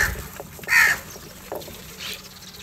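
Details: Crow fighting for food in the morning while eating cheese and butter; one loud harsh caw near the start, then faint scattered calls and background noise.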